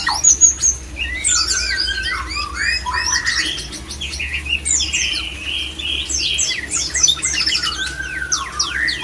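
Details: White-rumped shama male pouring out a long, varied song to bring mates into breeding condition: high whistles, descending sweeps and chattering bursts, steady and unbroken throughout.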